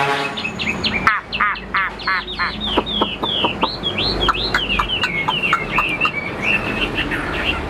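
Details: Caged Chinese hwamei kept for sale, described as a fighter that fans its tail, flicks its wings and stands tall; varied loud phrases of rapid repeated whistled notes, sliding and trilled, with a rough background hum.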